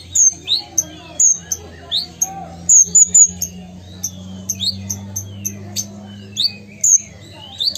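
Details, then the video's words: A Ruby-cheeked sunbird from Sumatra, singing actively, gives very high, thin tinks and quick upslurred squeaks in uneven bursts about every half second, over a faint low hum. "Konin Gacor Kolibri Ninja"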